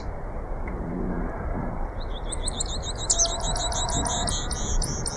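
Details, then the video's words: Grassland yellow finch (Sicalis luteola) giving a fast, high, chattering series of repeated buzzy notes over a strong low rumble of background noise. "Misto Canto - Misto Llamado - Sonido! Cantando! - Grassland Yellow Finch Bird Song - Sicalis Luteola"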